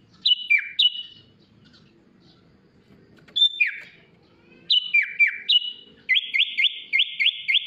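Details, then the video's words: Sooty-headed bulbul (kutilang) in a masteran tutor recording of rich 'isian mewah' song: loud clear whistles slurring sharply downward, given in pairs, a pause, then more descending whistles and a fast run of five repeated notes at the end. "MASTERAN KUTILANG ISIAN MEWAH 💯 Bikin Kutilang AUTO MEWAH"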